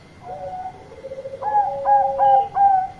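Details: Bangkok-type zebra dove singing loudly to call companions: a low purring coo trill, then a run of four short, bright, clipped coo notes rising in strength, over a faint steady electrical whine.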